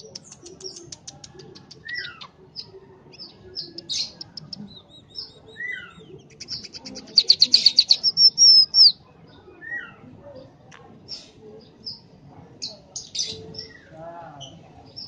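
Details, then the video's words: Scaly-breasted munia, a tame bird in full chatty song, gives sparse high squeaks and thin whistled slurs, then a loud rapid burst of clicking, rattling notes around the middle, followed by scattered soft chirps. "Emprit Gacor Ceplekan. Burung emprit jinak dan gacor"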